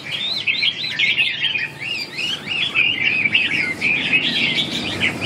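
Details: Red-whiskered bulbul singing clear, looping whistled notes that rise and fall in quick succession, phrases run together with barely a break.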